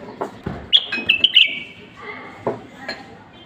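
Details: Moroccan black common bulbul song, played to stimulate bulbuls to sing: a burst of loud, sharp whistled notes falling into a sustained whistle, with clicks and knocks behind.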